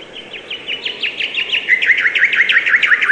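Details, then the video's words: Rapid chirping from a bird: a steady train of short downslurred notes, about six per second, growing louder and dropping a little in pitch through the phrase. "Beautiful and relaxing bird chirping sound"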